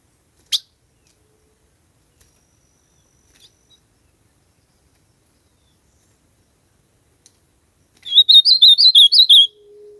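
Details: Quiet, with a few faint clicks, until an ultramarine grosbeak bursts into a brief, sweet, slurred warble near the end. Several rapid up-and-down notes are followed by a low steady hum.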